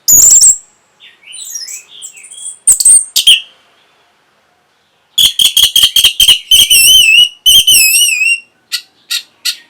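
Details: Orange-headed thrush song, played to stimulate breeding arousal and provoke a reply: loud clear whistles and sharp notes, then a rapid run of repeated notes and wavering high whistles, ending in short separated notes.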